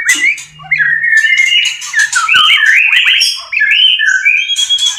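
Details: Breeding white-rumped shama in a cage: loud, rich, continuous whistled phrases sliding up and down, with occasional harsh high bursts.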